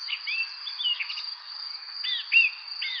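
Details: Spring evening birdsong: scattered sharp chirps with arched, falling notes, a cluster early on and stronger calls near the end, set against a continuous shrill insect-like hum.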